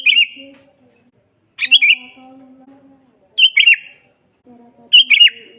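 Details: Lively sooty-headed bulbul song for training other birds: four short phrases of slurred whistled notes about every one and a half seconds, each fairly brief, with faint low drawn-out tones in the background.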